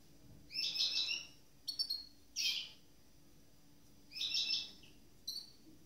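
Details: A freshly moulted goldfinch mule gives bright, twittering bursts of chirps, five short phrases in six seconds, high and fast. The background is quiet.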